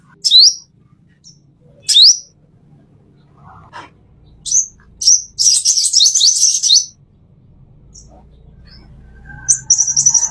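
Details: Master song of the plain-throated sunbird, called konin or kolibri, for training caged birds: isolated high, thin rising whistles, then a rapid twittering burst of sharp slurred notes, ending with a brief high trill.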